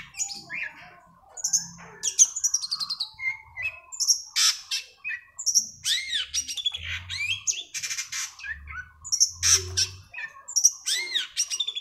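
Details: Long-tailed shrike song meant to stimulate a caged bird that no longer sings: a rich medley of high whistles, trills, scratchy notes and arched calls. Low humming tones sound intermittently in the background.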